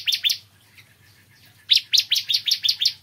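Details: Morning song of a bar-winged prinia: two quick high notes, a pause, then a fast, slightly stuttering train of about ten bright, falling chirps.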